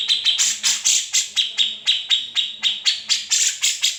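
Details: Unedited grey-cheeked bulbul song, noted for its besetan, ngepik and ngetril styles and used to tutor other songbirds. Fast, evenly spaced harsh chips follow one another in a continuous rattling run.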